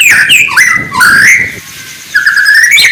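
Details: Morning phrases from a white-rumped shama (murai batu): a few loud sliding whistles, dipping then rising, a quieter gap, then a long rising whistle.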